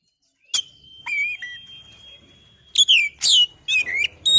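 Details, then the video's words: Oriental magpie-robin singing in a lure recording meant to stir birds to sing: a long even high whistled tone, then loud clipped, buzzy and slurred whistles in quick succession. "pancingan burung Kacer biar emosi mau bunyi"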